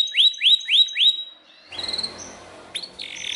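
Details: Belgian canary singing loudly: four clear, rising whistled notes repeat about three times a second. A short hissy, noisy stretch follows with thin high tones, then a sharp upward note and a sustained high buzzy trill.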